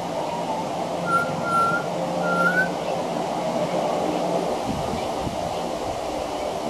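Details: Pied butcherbird singing on a veranda, mimicking other Australian birds in its song: two clear, sustained whistled notes, the second ending in a slight upward lift, over a steady low background hum.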